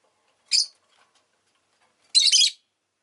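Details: Rosy-faced lovebird giving one short shrill chirp, then after a pause a longer, denser burst of rapid harsh chirping notes.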